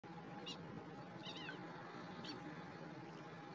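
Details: Three brief, thin chirps from a Long-toed Stint at Chiu S C, spaced about a second apart, over a steady low rumble of background noise.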